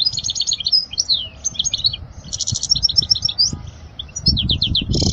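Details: Goldfinch singing, a song for teaching fledglings: quick tinkling twitters, slurred whistles and a buzzy trill in bursts, with low knocking noises rising toward the end.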